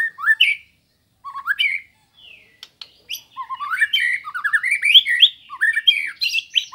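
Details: White-rumped shama from Indonesia, a master recording used to train songbirds and provoke rivals, singing varied phrases: slurred whistles rising and falling, harsh chattering notes, and quick twittering runs that grow denser toward the end.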